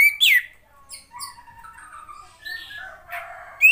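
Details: A female Oriental magpie-robin gives a loud, sharply falling squawk, then softer chirps, buzzy notes and short whistles of mixed pitch, and a last sudden loud note. Played to prompt silent males to sing. No other sounds.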